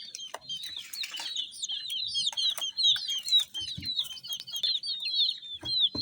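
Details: Colourful baby chicks in a group, chirping continuously: a dense overlapping stream of short, high, downslurred peeps, roughly two per second, with a few soft thumps below.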